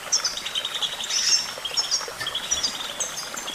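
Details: Brief burst of Goldfinch twittering, with bright, buzzy high notes in quick succession and short pauses between phrases, over steady background noise.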